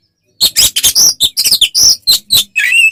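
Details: Oriental magpie-robin in fighting song, used to provoke rival birds into aggression: a rapid burst of loud, harsh, buzzy and ticking notes with a few high whistles, packed closely over three seconds.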